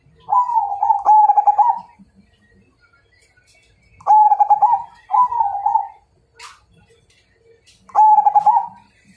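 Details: Zebra dove of the Majapahit type, its song described as a challenge to fight: trilled, rolling coo phrases about a second and a half long, repeated roughly every two to four seconds, with faint low thumps between.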